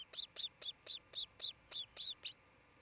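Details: Osprey at its nest in Charlo, Montana, on a 27 June 2018 nest camera: a steady run of nine loud, high, sharp whistled chirps, about four per second, the last one slightly rougher.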